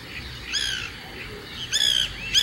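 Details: White Woodpecker (Melanerpes candidus) giving three loud, harsh, nasal calls with slightly bent pitch, spaced under a second apart, over quiet background; its short, dry, laugh-like sequence is used to communicate with other woodpeckers and to mark territory.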